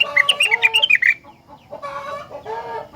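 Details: Rengganis singing vigorously, a song said to make other rengganis sing in response: a fast run of high whistled notes for about a second, then pauses and bursts of harsh, harmonic chattering notes.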